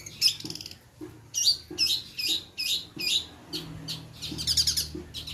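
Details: Long-tailed shrike song played as a lure to provoke singing: loud, harsh, high-pitched notes in quick chattering bursts, roughly twice a second, ending in a dense scratchy flurry, with faint low background noise.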